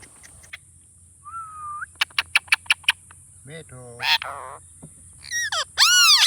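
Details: Indian ringneck parakeet talking: a short flat whistle, then a quick run of sharp clicks, brief speech-like harmonic phrases, and loud arching screeches at the end, over a steady high hiss.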